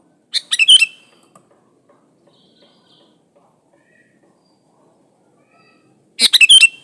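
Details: Sooty-headed bulbul singing eagerly, original audio with no added birdsong, played to draw other bulbuls into song: two short bubbly phrases about six seconds apart, each a quick burst of liquid notes, with near silence between.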